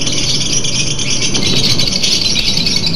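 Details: Lovebird singing from a simulator meant to ease contest nerves: a loud, unbroken, buzzy high trill of fast rattling notes with a thin whistled streak near the end, over low hum.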